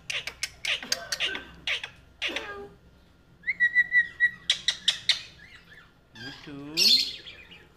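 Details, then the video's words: A friendly pet ringneck parrot makes rapid tongue-click-like taps, a steady warbled whistle held for about a second, more clicks, then a descending harmonic chatter ending in a squeak. "My Beautiful Talking Ringneck Parrot... Batein Karny Wala Totta"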